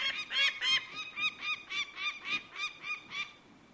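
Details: Bird of prey calling in a fast series of harsh, harmonic-rich notes, about three to four per second, each slightly arched in pitch, over a soft background hiss.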